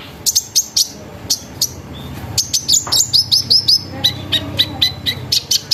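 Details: Sunbird lure song in the nembak style, aimed at making other sunbirds sing: paired high chirps, then a steady series of falling whistled notes and quick chips at an even pace.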